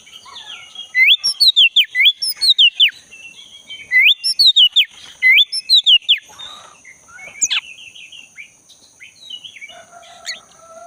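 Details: Black-breasted Oriental magpie-robin singing in the wild forest, used to encourage a caged bird that stopped singing; two runs of loud repeated swooping whistles, then quieter scattered chirps and a distant low whistle.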